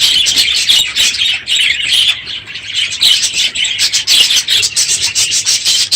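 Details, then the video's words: Many budgerigars in a crowded aviary at the end of the breeding season, unusually loud one morning; dense, continuous high chirping and squawky chatter from the whole flock with brief wing flutters. "My Budgies Today - NOISY birds this morning!"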